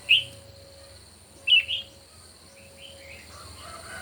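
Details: Red-whiskered bulbul during a morning singing duel: two loud, brief chirped phrases about a second and a half apart, followed by softer slurred notes, with a faint steady tone underneath.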